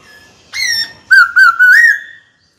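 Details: White-cheeked laughingthrush singing to call a rival to fight, caged: one rising whistle, then three short level whistles flowing into a long, gently rising note.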